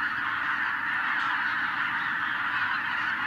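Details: Several tens of thousands of wild geese taking flight after a white-tailed eagle disturbed them, 2023, Hungary; steady, thick clamour of countless honking voices merging into one loud roar.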